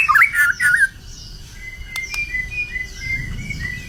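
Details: Competition-prepared White-rumped shama in Indonesia opens with a loud burst of twisting, warbled notes, then continues with softer, thin sustained whistles and faint higher notes.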